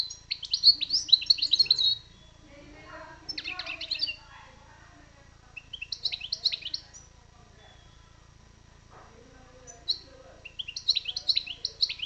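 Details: Wild European goldfinch singing: bursts of bright, rapid twittering and tinkling notes, each about one to two seconds long, separated by pauses, with a faint low murmur between phrases.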